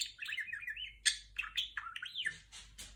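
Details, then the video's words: Female pet budgerigar indoors imitating R2-D2 sounds from Star Wars: rapid warbling chatter with sliding electronic-like whistles, sharp clicks and bleeps, rising and falling through mid and high tones. "セキセイインコ #おしゃべり ♪ #鳴き声 #starwars #スターウォーズ #r2d2"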